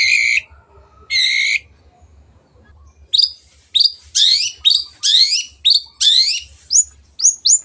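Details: Long-tailed shrike singing two buzzy flat notes, a pause, then a lively series of rising chirps and trills, quick and varied.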